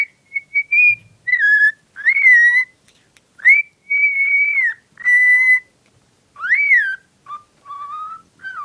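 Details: A female cockatiel, infatuated with a cuddly toy, whistles a string of clear, sustained notes, some steady, some rising and falling, with short pauses between phrases over about nine seconds.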